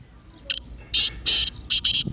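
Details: Partridge calling, used to rouse a silent partridge into calling excitedly: four harsh, rasping high bursts, the first short and the next three longer, each about a quarter second, with quiet pauses between.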